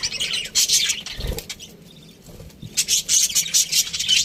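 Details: Aviary budgies give bursts of high, scratchy chirping, then fall quieter for about a second before the chatter builds again; a soft low thump is heard early on.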